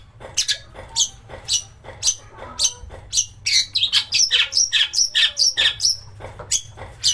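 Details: Long-tailed shrike song, played to stir up other shrikes and make them sing nonstop, with harsh shots and copied master-bird phrases: sharp clicking notes every half second, then a dense run of high squeaky chirps and whistles.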